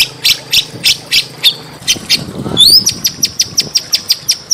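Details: Small birds recorded as training audio to provoke a murai batu (white-rumped shama) to sing: a fast series of short, sharp, high chirps about three per second, broken once by a quick upward-sweeping whistle.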